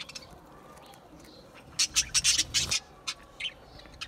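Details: Budgerigar giving a sudden fast string of shrill, sharp chirps about a second long, preceded and followed by softer scattered twitters over a faint low hum.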